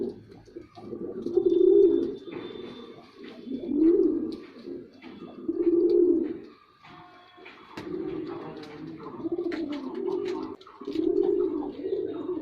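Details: Repeated low coos from a performing male white pigeon indoors, a rising and falling phrase roughly every two seconds, then a steadier run of coos with faint background clatter.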